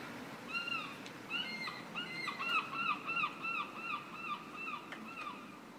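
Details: Adult European herring gulls (light blue-grey backs, black-white wingtips) at Helsingborg / Hönö Klåva, Sweden, 6 November 2019, giving a rapid series of nasal, laughing calls, about three per second, over a low background hum; herring gull.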